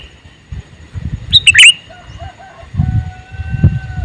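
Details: Male sooty-headed bulbul calling once with a fast cluster of sharp, bright chirps. Afterwards a faint, thin whistle from another bird is heard over low rumbling noise.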